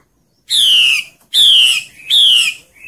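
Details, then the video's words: Forest female hwamei luring males in breeding season, giving three strong, harsh, falling calls spaced roughly 0.8 seconds apart after a brief silence. "Họa mi mái trùy hay trong rừng dụ trống hót hay"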